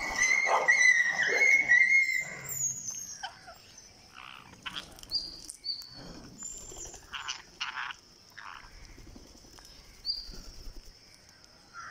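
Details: Young green parakeet, day 49, calling while being fed. Loud harsh harmonic calls come in quick runs for the first two seconds. Sparser short chirps and soft rustling follow, with a steady high whine underneath.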